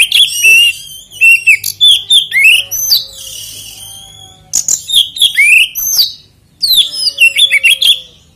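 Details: Oriental magpie-robin song used as a lure to set other kacer singing; three loud bursts of sweet whistles, upward slurs and sharp chips, separated by short pauses.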